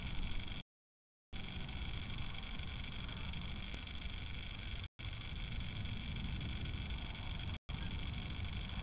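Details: Steady low engine-like hum and hiss fills the recording, broken by short silent gaps, with no animal voice.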